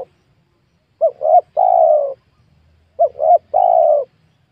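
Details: Spotted dove on newly worked land planted with young oil palms, during luring of wild doves; two mellow phrases of two brief hooting notes and a long sliding coo, repeated about every two seconds.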